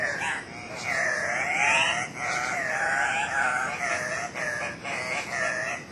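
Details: Andean cock-of-the-rock, ssp saturata, two males displaying at a lek, Cock of the Rock Lodge, Manu NP, Peru, recorded 1 August 2005; continuous loud, harsh, nasal squealing calls with wavy up-and-down inflections, voices overlapping throughout.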